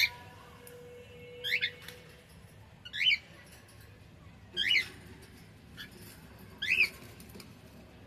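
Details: Cockatiel singing, with sharp chirped notes spaced roughly one and a half seconds apart over a quiet, low-pitched room rumble.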